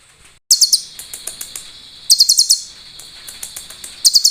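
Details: Sunbird singing clear 'cililin' filler, recorded as a master track to teach other songbirds: short bursts of very high, piercing notes, around five to six at a time, interspersed with scattered single chips over a low background hiss.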